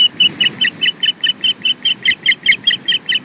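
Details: Osprey on the Loch Garten nest in Scotland, incubating and going to and fro after afternoon nest intrusions, giving a fast run of about fifteen sharp, piping whistled chirps, evenly repeated roughly four or five times a second.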